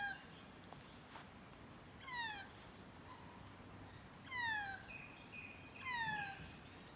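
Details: A magpie at close range gives three loud, descending, harmonic-rich calls, each sliding downward and spaced about two seconds apart. Between them the background is quiet, with a faint steady tone.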